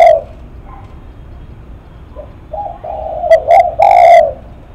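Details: Spotted dove, a 'lắc mặt' bird: one loud coo, soft low notes and a building hum, then a strong phrase of two short coos ending in a long, full, mellow coo.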